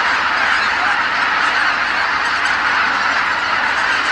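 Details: Tens of thousands of geese honking as they come back to roost on Kabukuri-numa marsh at nightfall, a steady overlapping chorus filling the air.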